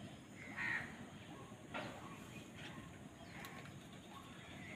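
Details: Crow during a fight over food: one short, harsh caw early on, followed by fainter, rougher calls over steady background hiss.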